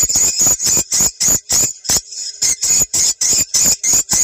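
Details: Swiftlet lure audio for testing a nesting site, played in the morning or evening, South Kalimantan. Piercing chirps repeat about three and a half per second, with one half-second pause midway.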